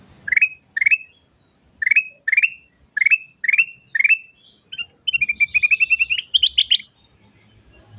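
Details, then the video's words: Ketilang emas, the black-capped bulbul, in continuous ngacor tembakan song: seven evenly spaced, upslurred whistled notes, then a quick run of repeated chips that climbs into a higher, louder flourish. "suara kicawan burung ketilang emas ngacor tembakan"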